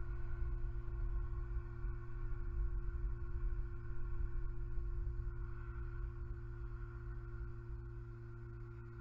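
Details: Deep continuous rumble with steady electrical hum tones and a faint background hiss.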